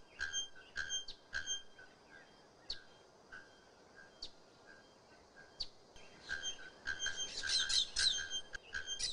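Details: Bellbird (araponga), a Procnias cotinga whose shrill song is likened to a hammer striking an anvil: sharp metallic clanks and pings, some with ringing overtones, repeated irregularly every half to one and a half seconds, with a faint outdoor background.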